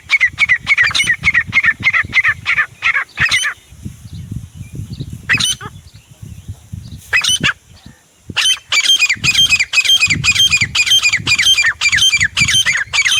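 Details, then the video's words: Grey francolin calling, a harsh, ringing phrase repeated rapidly about twice a second for three seconds, then a few scattered notes, then another fast regular run of loud calls to the end; low rumbling background noise throughout. "Desi teetar // sounds teetar awaaz"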